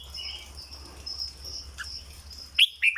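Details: Caged red-whiskered bulbul, 'dok' style song: mostly quiet soft warbling, then at the very end three loud, ringing whistled notes in quick succession.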